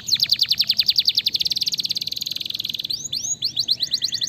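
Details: Canary singing to provoke rival canaries to reply: rapid repeated high down-swept notes speed up into a dense, even trill, then break into looping whistled phrases.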